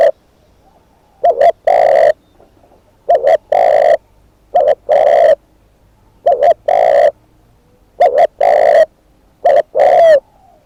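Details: Repeated calling of a decoy spotted dove: six loud phrases of a short two-part coo and a sustained coo, evenly spaced with quiet gaps between them.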